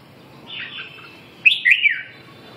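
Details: Red-whiskered bulbul song: a soft, drawn-out whistle, then a loud, cheerful phrase of quick rising and falling slurred notes in the middle of the clip. The background is quiet.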